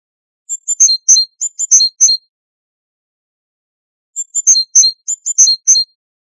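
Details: Great tit delivering two matching bursts of quick, bright high chirps in alternating pitches, each bout about one and a half seconds long, separated by a long silence.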